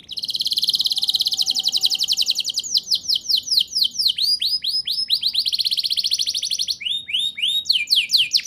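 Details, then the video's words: Lively gacor canary song with rolling ngerol trills, played to coax young birds into singing: a long fast high trill that speeds and shifts into chopped sweeping notes, then a renewed rapid roll and scattered chirps. "Suara Burung Kenari Gacor Ngerol Nembak! Ampuh Untuk Pancingan Kenari Paud Biar Bunyi"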